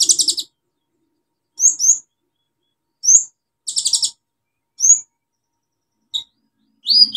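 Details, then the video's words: Olive-backed sunbird singing for a lure: bright buzzy chirp clusters alternate with quick upslurred high squeaks, separated by clear pauses of about a second. "KOLIBRI NINJA SUPER GACOR NEMBAK ISIAN BUAT TERAPI PANCINGAN KOLIBRI NINJA MACET BUNYI"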